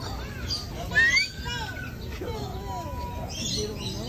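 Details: Rainbow lorikeet (Trichoglossus moluccanus), talking: greeting.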